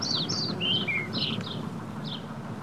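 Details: In May 2021, young scrub jays living alongside their parents utter about eight brisk, high, down-slurred chirps, some slightly lower and buzzier, with a soft low rumble of background noise throughout.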